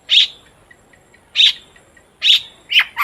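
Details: Long-tailed shrike used as a singing lure for other shrikes, giving spaced harsh rasping notes about once a second, the last two dropping in pitch.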